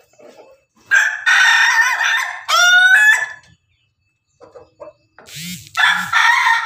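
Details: Pelung Bangkok rooster feeding with hens. It gives a long, harsh crow ending in a drawn, rising strained section, then a few soft clucks, then another crow that begins as the clip ends.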